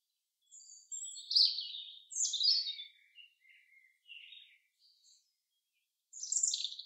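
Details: Song of a common chaffinch in the forest, heard as quick, bright, high phrases with sharp accents, interrupted by short, softer chirps and ending in a loud burst.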